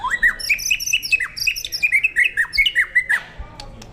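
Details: Competition-ready white-rumped shama singing a fast, steady string of bright, sharply falling whistled notes, about four per second, ringing clearly before stopping abruptly, with a quiet indoor background.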